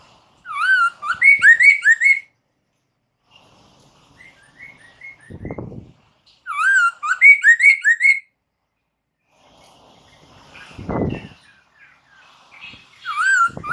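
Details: Lure recording of a laughingthrush for prompting caged birds to answer: bursts of rapid, rich whistled notes in looping up-and-down phrases, repeated about every five seconds, with quieter short whistles and brief low rustling noises between.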